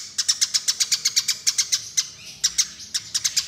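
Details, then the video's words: Eurasian tree sparrow fighting call, used as a bird lure: a fast series of sharp, bright chirps, about four a second, given in bursts separated by brief pauses, loud and clear over a quiet background. "Suara Pikat Burung Gereja Tarung"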